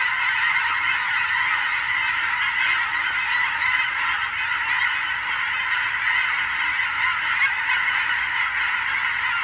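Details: Huge flocks of migrating geese, mixed with sandhill cranes, flying over on a fall evening in Oregon: a dense, unbroken chorus of overlapping honks, many birds calling at once with no pauses.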